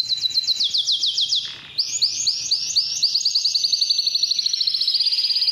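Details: Belgian canary singing to attract females for mating, used as a lure recording for training other canaries: rapid high trilled tours, slurred notes repeated about four per second, a brief pause, then faster even rolling trills.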